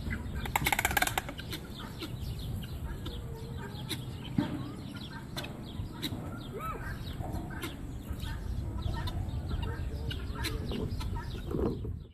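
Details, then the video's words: Marabou stork at the ABQ Zoo Bio Park clacking its beak: a brief, dense burst of rapid dry clatters early on, then scattered single knocks over a steady low rumble of zoo background noise. "Maroubu Stork Beak Clacking"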